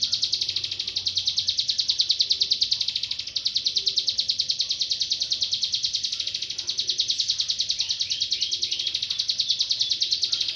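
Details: Ciblek gunung, the Bar-winged prinia, singing energetically as a tutor song for other songbirds. High, piercing notes repeat quickly and evenly, about three a second, in a continuous run with faint background noise.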